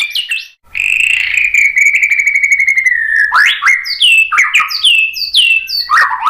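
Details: White-rumped shama song, used to prompt other birds into singing: a long, steady, slightly falling whistle lasting about two seconds, then a rapid series of bright, downward-sweeping whistled notes and upslurs, with a short pause near the start.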